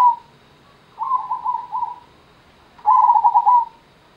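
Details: Zebra dove cooing in two phrases: a softer, uneven run of coos, then a louder, crisp series of rapid pulsed notes. The backdrop is quiet.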